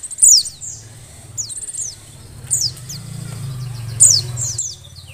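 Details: Oriental white-eye female in breeding condition, calling to stir males to sing; bright, high whistles dropping steeply in pitch, separated by soft twittering, over a faint low rumble.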